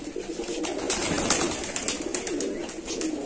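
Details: Farm-kept pigeons, 120 pairs in a growing Bangladeshi loft, July 2025, give soft throaty cooing in repeated rolling phrases, with sharp clicks and bird movement in an enclosed space.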